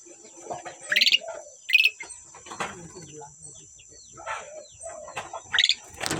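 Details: Asian pied starlings, a pair, in song. Rasping high bursts alternate with quieter mid-pitched fluttering notes, delivered in irregular spurts with gaps between them.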